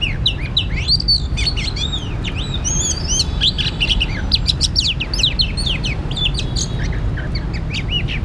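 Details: Oriental magpie-robin at a trapping site, singing a long varied series of clear whistled slurs, up-and-down notes and sharp chips, some phrases overlapping, with constant low-pitched background rumble throughout.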